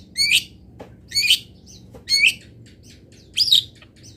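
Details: Local Indonesian long-tailed shrike singing fill-song training material: four harsh, chattering bursts spaced about one second apart, each a quick cluster of high scratchy notes, over a faint low hum.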